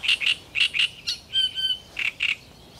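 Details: Great reed warbler in full, rapt song, with loud, harsh notes in doubled pairs, a brief stretched whistled tone mid-phrase, then two more grating croaks.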